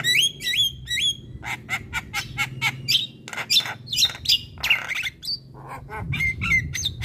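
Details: Energetic Javan myna song: bent whistles and clipped harsh notes, mixed with rasping chatter and scratchy bursts in quick succession.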